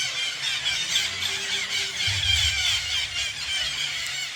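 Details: Parakeets crowding a tree in the natural bird sanctuary of Garo Para give a steady wall of piercing, rapid squeals and chatter, loud and unbroken, with a soft low hum in the background.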